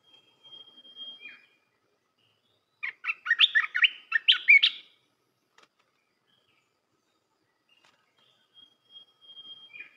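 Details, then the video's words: Red-whiskered bulbul singing a song meant to train young birds. A thin steady whistle comes first, then a two-second burst of rapid chirpy warbled notes. Faint thin whistles return at the end. "เสียงนกกรงตาแดงEp.168 เสียงหัดนกลูกเสอ เพลงเพราะ น่าฟัง"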